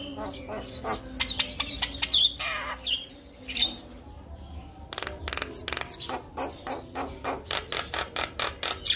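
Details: Javan myna song used to lure silent mynas into singing: harsh clicking pulses in quick runs with short high whistles, a fast regular series of clicks near the end.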